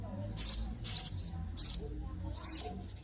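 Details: House sparrow, a hole-nesting bird of Spain, giving four short, bright, high chirps spaced unevenly over three seconds, over a low rumbling background murmur.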